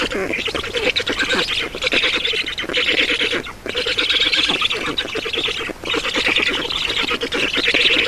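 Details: Estonian black stork nest at feeding, 7 June 2019, 16:44: loud, coarse, buzzing rasps delivered in sustained runs lasting one to two seconds, broken by brief pauses.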